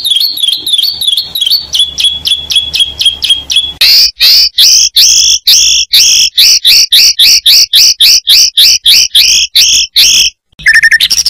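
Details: Competition Oriental magpie-robin singing isian fill-ins: a run of quick repeated chipping notes, then loud rhythmic two-part whistled notes repeated about four times a second, ending in a brief higher phrase.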